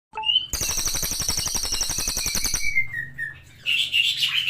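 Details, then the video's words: Cililin, a brown variety, singing energetically: a brief whistle, then a long rapid buzzy trill of about ten pulses a second that slides down, followed by short high chirps. "CILILIN GACOR"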